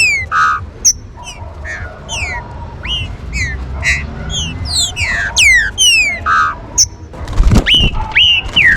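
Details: Green-winged saltator song used as a warm-up, with rain mentioned: varied falling whistles and buzzy notes, then a loud low thump followed by clear level whistles near the end.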